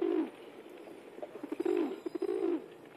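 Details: Pigeons among a wild flock in India: a low, rolling, throaty coo, a short note then a longer bubbling phrase rising and falling, over faint outdoor background noise.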